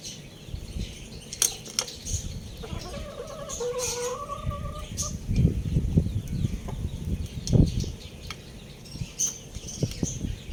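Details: Young Lohmann Brown rooster, playing and eating among other young roosters, gives a squeaky, strained harmonic crow lasting about two seconds, steady then slightly rising. Busy high chirping of small birds and scattered clatter and rustling continue throughout.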